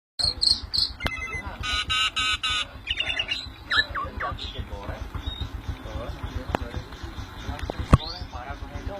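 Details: Tame pet Javan myna in full, active voice: harsh buzzy squawks and grating rattling bursts over the first three seconds, then scattered sharp chirps and clicks, with people talking and steady tapping noises throughout.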